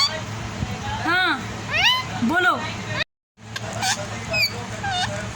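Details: Talking parrot: a few arched, whistled syllables rising and falling in pitch, sounded in quick succession, then a brief gap and more short sharp notes, with music and background hum underneath.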